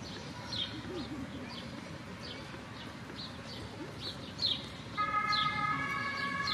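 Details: Canada goose parents with five goslings in Mannheim's Luisenpark, 4 June 2022: a steady run of high, downslurred peeps, about four a second, joined near the end by a sustained tonal drone, over a low background rumble.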